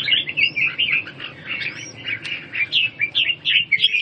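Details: Red-whiskered bulbul singing, in a recording meant for birds recovering from cough and respiratory weakness. Continuous run of bright warbled notes with short rising whistles overhead, delivered rapidly without pause.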